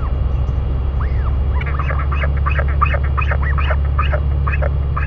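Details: Royal albatross parents feeding their chick in New Zealand give a quick series of squealing, rising-and-falling calls, two or three a second, over a heavy low rumble of wind.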